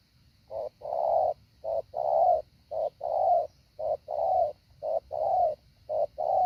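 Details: Training decoy spotted dove cooing to lure wild doves to land, in a methodical pattern: a quick low note then a long hollow coo, pairs repeated nearly every second, a soft steady high hum in the background.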